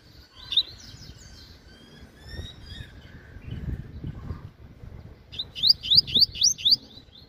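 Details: Captive Double-collared Seedeater delivering its 'meio canto' half song. A short twittering start and thin soft notes lead to a loud series of five rapid, sharply rising whistles, with steady low background noise.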